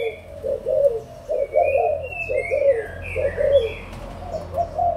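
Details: Spotted doves, adult birds of Malaysian and Thai lines, 16 March 2022, give soft, husky coo phrases in uneven bursts of two or three notes, over a low rumble and with sliding whistles from other birds.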